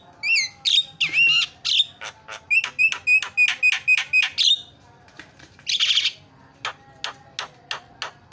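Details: Javan myna isian song for masteran use: varied whistles opening into a steady series of sharp clicking notes about four per second, a harsh rasping burst, then more evenly spaced clicks.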